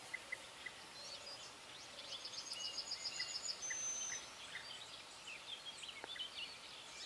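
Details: European bee-eaters in South Moravia, Czech Republic, give faint, high, scattered chirps and one quick run of rapid notes over a steady hiss of outdoor background noise.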